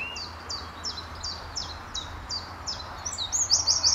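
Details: A very lively Eurasian wren on a farm in Letchworth, England, on an early March morning, calling loudly in answer to a nearby wren as if across territories: high, sharp, slightly falling notes about three a second, then a loud rapid trill, with faint background hum.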